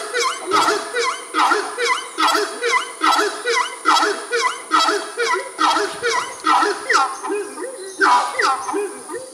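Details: A pair of Horned Screamers in the Amazon, doing some kind of display together, call in loud, honking, rising-and-falling phrases, repeated about once a second in an overlapping rhythmic duet.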